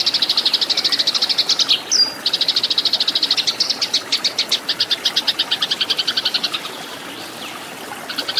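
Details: Eurasian tree sparrow fighting song for schooling cage birds: rapid high chirps with a thin whistled interjection early on, gradually loosening into spaced chirps, a quiet patch, and a final short burst.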